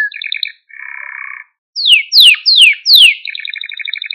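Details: Song of a male Maltese canary, used to excite other canaries: short trilled bursts and a low buzzy roll, then four loud, steeply falling sweeping whistles, ending in a quick steady high trill.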